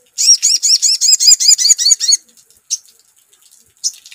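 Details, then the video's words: Crimson sunbird in full voice after hearing a lure call: a rapid two-second burst of about a dozen high, ringing, rising-falling notes, followed by two isolated sharp chirps. "SUARA PANCINGAN SOGON"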